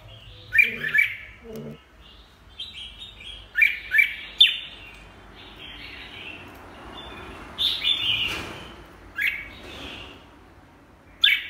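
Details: Red-whiskered bulbul giving clear, sharp whistled phrases of two or three quick notes, sung in separate bursts spaced a few seconds apart against a quiet background.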